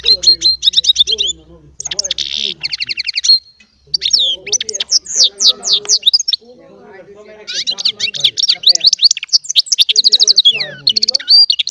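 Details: Goldfinch-style singing by a small hybrid bird, energetic twittering with buzzy rattles and swooping whistled notes in long runs, broken by a short pause before resuming with rapid trills.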